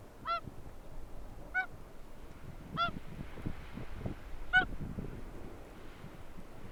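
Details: Whooper Swans at Akureyri on 5 April 2020, with oystercatchers also present: four loud, bugling honks rich in overtones, spaced about one to two seconds apart over a steady low rumbling background.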